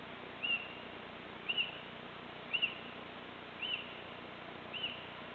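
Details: Calls of a little owl recorded 26 March 2014: five short piercing high notes, some slightly doubled, repeated about once per second over a soft hiss of background noise.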